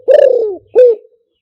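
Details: Spotted dove call used to lure doves via loudspeaker: two clear, mellow coos, the first long and gently falling, the second shorter and also sliding down, with silence between and after.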